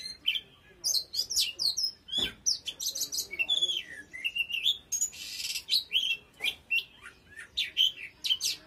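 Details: Oriental magpie-robin in full, intense song: fast, varied whistles, sharp chirps and buzzy flourishes following one another in quick succession throughout.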